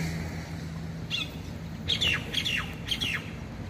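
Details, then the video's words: Myna in Taiwan, singing busily: a run of four or five short, harsh, downward-slurred notes with squawky edges, each about half a second apart, over a steady low hum. "burung jalak ditaiwan gacor"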